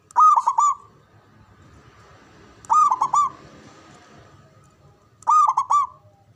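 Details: Local Javanese zebra dove, known for a strong, loud voice, kept to spur rivals into calling back: three bursts of rolling, bubbling coos, each about half a second long, spaced roughly two and a half seconds apart.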